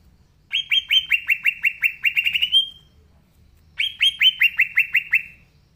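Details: Green leafbird (cucak ijo) singing actively: two bursts of quick, evenly spaced, sharply downslurred whistled notes, about five per second, separated by a second of silence.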